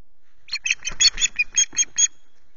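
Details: Loch Garten Osprey nest on 19 April, morning, while intruders visit. The bird gives about nine loud, piercing piping notes in an uneven, slightly stuttering rhythm that ends abruptly.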